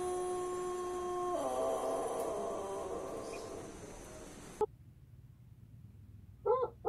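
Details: Tail of a Pelung rooster's crow from a trophy-winning Jajangkar bird in West Java, Indonesia: a steady held tone dropping to a lower wavering note and fading out, followed by silence and a brief sharp knock.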